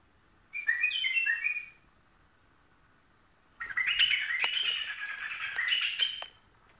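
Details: White-eared bulbul song: a short bubbly whistled phrase, then after a pause a longer, busier run of chattering, warbling notes with a few sharp clicks, over light background hiss.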